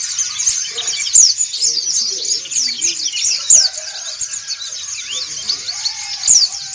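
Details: Ngriwik singing by a gathering of white-eyes, dakun and montanus types; lively high twitters and quick trills, with three piercing, sharply descending whistled notes about every two and a half seconds above the chatter.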